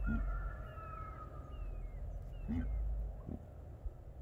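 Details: Yearling (juvenile) emus starting to develop vocal abilities beyond cooing: faint, thin downward-sliding whistles over a few low, soft grunting thumps, with a steady low background rumble throughout.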